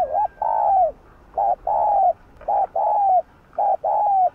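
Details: Spotted dove kept as a lure, delivering its full song to provoke other doves: paired notes, each a short low coo followed by a longer, gently falling coo, repeated three times in steady rhythm with brief pauses.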